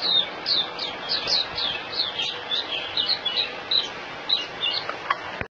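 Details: A white-eye held in the hand in Singapore, January 2018, sings a fast series of sharp, high, slurred chirps in a busy unbroken twitter that cuts off abruptly at the end.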